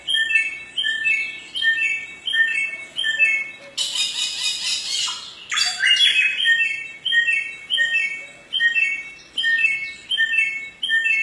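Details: ['Samyong bird in the forest repeating short clear whistled phrases in a steady rhythm, interrupted midway by a brief loud noisy burst before the phrases resume.']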